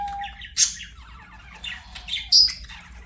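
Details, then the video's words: Budgerigars singing while playing: scratchy chattering warble with two sharp, loud high chirps, harmonic squeaks between them and a faint low hum underneath. "BUDGIES SINGING PLAYING"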